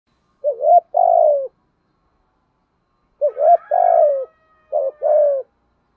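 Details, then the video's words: Decoy spotted dove giving urging 'gù thúc' coos meant to stir other doves: two phrases, each a brief rising hooked note, then a long, steady, slightly falling coo, with a pause of about two seconds between phrases. "chim cu mồi gù thúc bổi nghe là chơi ngay/ tiếng chim cu gáy mồi giọng bài bản"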